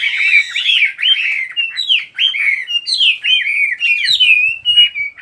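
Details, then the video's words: Fluent bird song of slurred whistles and trills, phrases sweeping up and down in quick succession with brief pauses, a few soft low taps near the end. "Chỉ có nghe chim hót là tâm hồn thanh thản nhất."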